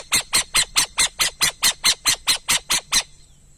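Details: Burrowing owl calling in a steady series of about thirteen harsh, scratchy notes, evenly spaced a little over two per second, ending abruptly in quiet.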